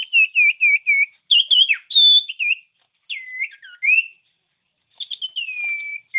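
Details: Common iora song, played to stir other ioras into singing: five rapid wavering whistled notes, then richer warbled phrases with a long steady whistle, a dipping slurred note, and a final drawn-out descending whistle.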